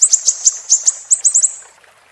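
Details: Siri-siri song used as a tutor recording for training songbirds: a quick run of about ten sharp high notes in under two seconds, each a brief bright chip, then fading out with a faint watery background.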